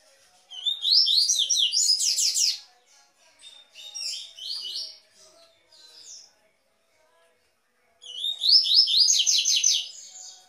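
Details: Double-collared seedeater delivering Tui tui song to warm up captive birds; two loud bursts of fast, chattering, rising buzzy notes separated by softer fragments and a silent gap.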